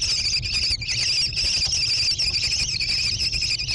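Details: American kestrel chicks growing in a gravel-bottomed nest box on a barn near Prairie du Chien, Wisconsin, USA, 14 June 2022, caught by a nest camera; continuous raspy, buzzy high chorus with brief breaks and low rumble beneath.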